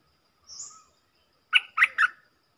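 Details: Stripe-throated bulbul decoy song: a soft high slurred whistle, a pause, then three bright, rich, bubbling notes in rapid succession.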